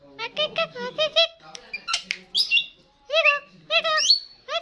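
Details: Starling in full song: quick runs of short nasal harmonic notes repeated in rapid series, broken by harsh squawks and high rising whistled slurs, ending with another burst of nasal notes.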